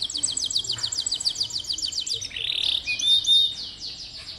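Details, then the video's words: Canary song for prompting young or reluctant canaries to sing: a rapid, even trill of high clipped notes, shifting into a softer buzzy warble with a thin high whistle near the end. "Suara burung kenari bikin hati senang, dan masteran burung kenari muda dan jarang bunyi"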